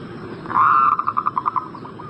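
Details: Zebra dove, called perkutut, giving a breeding-condition prompt call: one long sliding coo that breaks into about ten quick rhythmic pulses at steady pitch, fading at the end, with background hiss.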